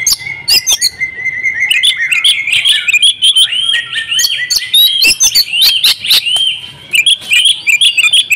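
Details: Female Oriental magpie-robin calling the male to make him sing; a dense run of sharp chirps and rising whistled notes, with overlapping tones held near one pitch and loud clicks throughout.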